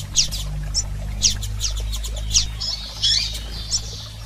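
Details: Calls of female and male double-collared seedeaters to rouse a male: crisp high downslurred chirps repeated about every second, with a steady low hum underneath.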